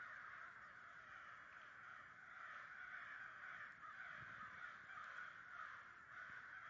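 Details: Large murder of some 100 American crows in New Jersey, 2011, all cawing: thick overlapping harsh calls rising and falling slightly in a continuous flock noise.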